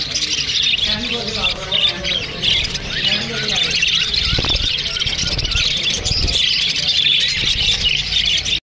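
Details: Australian parrots chirp among themselves in a thick, unbroken chorus of high tweets and squawks, with a few low thumps in the background.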